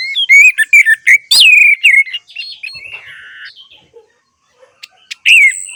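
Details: Orange-headed thrush song meant to stimulate quiet birds to sing: fast rich warbling with upward-sweeping notes and a buzzy descending phrase, then near silence before a final sharp whistled note.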